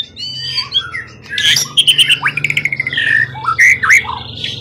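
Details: Forest-caught contest bird with a tail of 20 cm or more, calm and long in captivity. It delivers varied squawky notes, sliding whistles and rapid chattering bursts over a steady low electrical hum.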